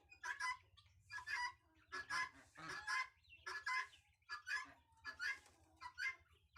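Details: Goose chicks described as naughty repeat short, bright, nasal honks at a fairly steady pace, roughly one or two each second.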